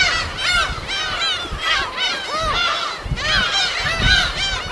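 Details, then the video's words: Gulls in their natural habitat on an uninhabited West Sea island, recorded on site: loud clustered volleys of harsh, curving calls from many birds, with a brief lull near the middle before the chorus swells again. "파도소리와 갈매기소리"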